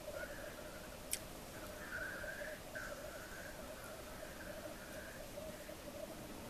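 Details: Lekking black grouse on an April morning in Svartådalen, Västmanland: continuous far-off bubbling drone underlies drawn-out hoarse hissing calls that come and go, with a sharp click just after one second.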